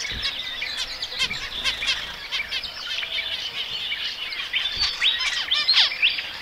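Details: Zebra finch chorus: many quick high tweets and nasal buzzy notes overlapping continuously, with a few rapid rising-falling chirp series near the end.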